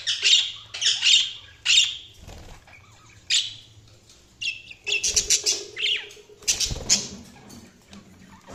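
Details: Budgies chirping: bright high chirps in quick bursts near the start, then a busier stretch of overlapping scratchy chirps and chatter with a low steady hum underneath.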